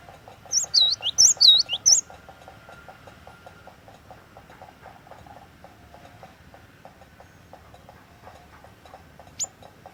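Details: Cinereous tit giving a short burst of loud whistled lure song, three or four swooping high-to-low phrases. Several seconds of only a low ticking mechanical hum follow, with one faint high note near the end.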